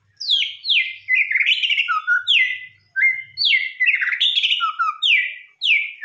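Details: White-rumped shama (murai batu) song used as a lure to stimulate other birds: loud, varied phrases of clear, downward-slurred whistles mixed with buzzy chatter, in bursts every second or two, with no other sounds.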